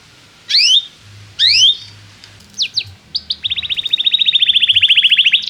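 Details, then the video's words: Singing canary, a tutor for young canaries learning song: two rising upslurred notes and a few short chips, then a long, even, rapid trill of clipped notes held at one pitch, with faint low background hum. "Kenari gAcorr cuit cuit emosi, Pancingan untuk kenari Paud belajar bunyi"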